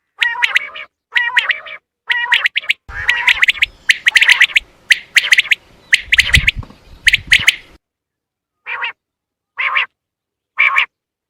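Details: Common quail sound used to lure birds for hunting: bursts of quick bright three-note phrases alternating with nasal harmonic calls, a stretch with low background rumble, then spaced single nasal notes.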